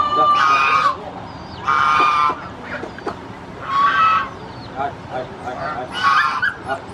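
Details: Goose screaming after watching strangers: loud, harsh, nasal honks of about half a second, four calls spread over seven seconds, with softer grunting and rustling between them.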